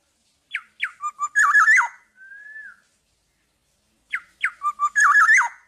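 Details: Black-naped oriole, tame and out of its cage, gives a phrase of sharp falling notes ending in a rich warbled whistle, then a soft drawn-out whistle, and repeats the phrase.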